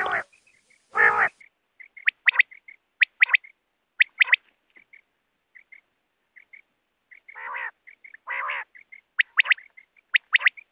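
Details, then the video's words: Wild quail call used when hunting with nets: two loud harsh bursts open, then spaced sharp doubled whistled notes and faint soft chirps, more raspy bursts, ending in quick triplets of high notes. "BATER Ki Awaz|Batair ki awaz 2024|Quail sound 2024|Quail shikar ki awaz|hunting Batera with net."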